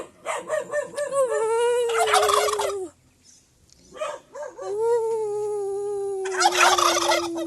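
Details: A domestic turkey in Aratoca, Colombia, whose owner says he communicates with his turkeys, gives two drawn-out, wavering, throaty calls about three seconds apart, each breaking into a rough gobbling rattle.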